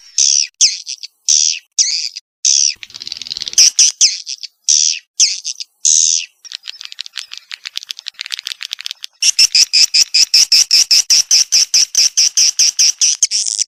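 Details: Swiftlet calls recorded 18 August 2021: buzzy, high chirps in separate bursts about every half second, breaking into a faint, rapid flutter, then a fast, steady stream of sharp twitters from nine seconds on.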